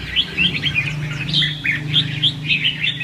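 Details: Red-whiskered bulbul song used as a trapping lure: short, separate bright whistled chirps, roughly two per second, over a steady low hum.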